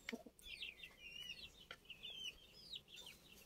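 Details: Older chicks, domestic chickens, on 29 June: a brief run of clear, high, descending peeps, several per second and overlapping, over faint background hiss.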